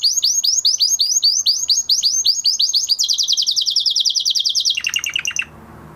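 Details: Post-moult male canary in training sings rapid falling notes in a long steady tour, then a very fast high trill, dropping to a lower trill before stopping abruptly into quiet.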